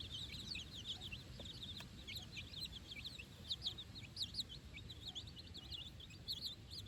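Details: Baby chickens, four days old, on fresh grass beside their mother for the first time, keep up a dense chorus of rapid, high piping cheeps, many birds overlapping, with low rumbling background noise.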